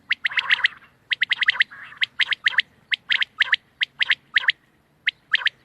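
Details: Steady series of quail chirps, sharp bright notes in pairs and triplets repeating almost continuously, with a softer blurred call near the start.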